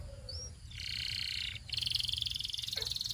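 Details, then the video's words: Belgian canary giving buzzy, harsh trills, with a rising whistle at the start, then a rapid pulsing roll of high notes. A little low background noise is present. "Belgian Canary Singing"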